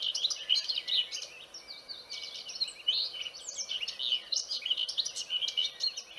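Vernal hanging parrots give a steady stream of thin, high, squeaky chirps, several notes a second, overlapping as if from more than one bird.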